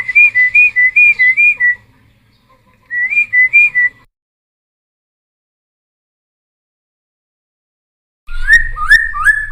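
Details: Cucak timor song for training and luring wild-caught birds: short bursts of even, rapidly repeated whistled notes, a long silence, then slurred upward whistles with low background rumble.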